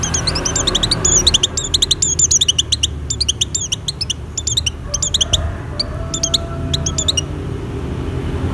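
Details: Oriental white-eye singing in breeding condition to lure other white-eyes: rapid chains of high, thin chirping notes in bursts over several seconds, fading out near the end, with a low background hum and faint lower tones.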